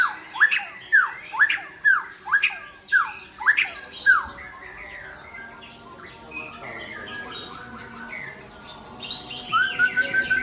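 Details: White-rumped shama of the Aceh type (murai Aceh) singing a run of loud, swooping notes that dip and rise, repeated about twice a second, then a pause and a high series of rising whistled notes.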